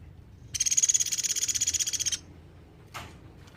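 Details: Sunda pygmy woodpecker calling loudly, intended as a model for teaching songbirds: a sharp buzzy trill of rapid evenly spaced notes for about one and a half seconds. A short dull thud follows.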